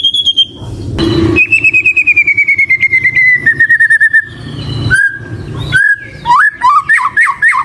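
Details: White-rumped shama (murai batu) giving a drawn-out rapid pulsed whistle that slowly falls in pitch, then separate slurred notes and a run of quick descending chirps, with some low background noise.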